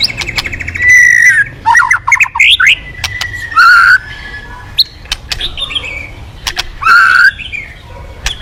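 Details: White-rumped shama singing hard as bait to set other birds off: clear sustained whistles, a fast run of up-and-down slurred notes, and rich warbled phrases separated by sharp clicks and quieter gaps.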